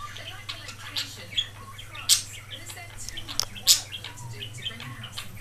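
A budgerigar chatters with quick, scratchy chirps and a few sharper squawks over a steady low hum.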